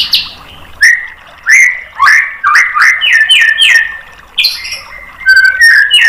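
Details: White-rumped shama tutor song used to provoke a reply: loud separate whistled phrases, downslurred and upswept, with sharp high clicks and quick chattering notes between short pauses.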